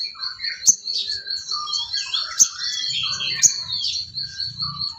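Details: Sooty-headed bulbul singing, a training recording for songbirds: short fluty warbles and rising-falling slurs, with sharp clicks about every second and a constant high-pitched ringing tone behind.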